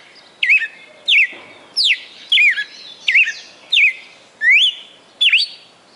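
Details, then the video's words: Red-cowled cardinal kept in a cage in Fortaleza, Brazil, singing a many-noted song: eight crisp whistled phrases, each a sharp downslur or quick twist, repeated at a steady pace of roughly one every three-quarters of a second. "Galo de Campina "o canto perfeito""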